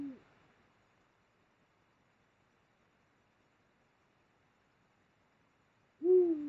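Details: Eurasian eagle-owl mating in late January 2022 on the Mosel, Germany; a hoot trails off at the start and another deep, downward-bending hoot begins six seconds later.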